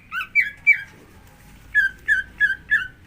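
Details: Greater green leafbird song used as a prompt to get another leafbird to sing: three sharp, two-toned chirps, a pause, then four quick down-slurred whistled notes at a steady beat.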